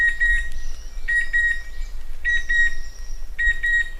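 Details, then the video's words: Chestnut-winged cuckoo with a few quick doubled metallic whistles, four pairs in four seconds, a steady high tone running underneath and a low rumble. "เสียงนกคัดคูหงอน Chestnut-Winged Cuckoo Sound"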